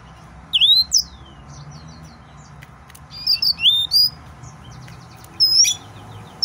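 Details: Male yellow-fronted canary in an excited state delivering scattered, bright whistled notes, swooping up and down in pitch, in several short bursts across the stretch, with steady low background hum.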